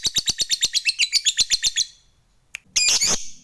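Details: Fighter lovebird in ngekek chatter aimed at rivals: a quick series of about fifteen raspy notes, then a short silence, a single click and a loud harsh squawk burst.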